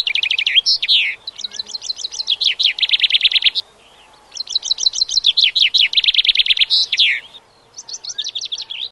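A common chaffinch sings bright, rattling phrases of quick notes that tumble downward and end in a flourish, repeated with short pauses between.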